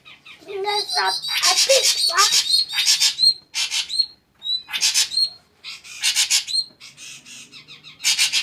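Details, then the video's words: Shrike song, a loud varied burst of harsh buzzy and chattering notes mixed with clear whistled slurs, delivered in dense phrases separated by short pauses. "srigunting kicau"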